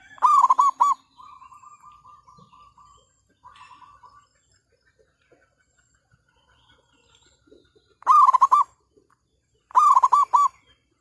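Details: Zebra dove used to lure wild birds for trapping, on a cloudy day after overnight rain in nesting season. Loud bursts of rapid, throaty cooing notes open and close the recording, with a softer trill of repeated coos between them.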